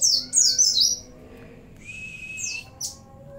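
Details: Oriental white-eye in the 'CiLiLin sambung bren cigun' song-fill style: a fast burst of high, sharp chirps opening the passage, then a few scattered thin notes over a constant background hum.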